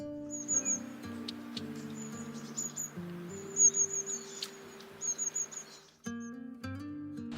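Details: A long-tailed tit in the UK gives one of its most common calls, very high, thin, sibilant notes in short clustered bursts every second or so, over steady background music.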